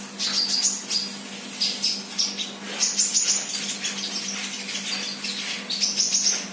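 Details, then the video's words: Sunbird, an untrained bird singing eagerly, gives continuous high, twittering phrases of short chips and trills, building into dense bursts, over a low constant hum. "Burung kolibri bahan Gacor"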